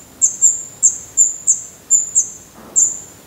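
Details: From a nest in Portugal, black redstart chicks whose eyes have opened and whose definitive feathers are coming in make sharp, very high-pitched sibilant cheeps, often doubled, in a steady series.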